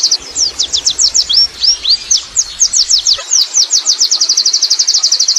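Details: Wild Oriental white-eye singing ngerol, high slurred notes that speed up into a tight, even trill. A low rumble sits under the first three seconds.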